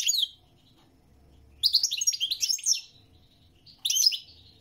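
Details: European goldfinch singing: bright twittering bursts of rapid high chirps and tinkling notes, delivered in short phrases separated by brief pauses, with a quiet low hum in the background.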